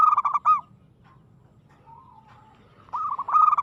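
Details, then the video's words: Local zebra dove delivering aggressive song: a run of clipped cooing notes ends at the start, soft low murmurs follow in the pause, then a new rapid ringing phrase begins. "suara perkutut gacor agresif mental baja"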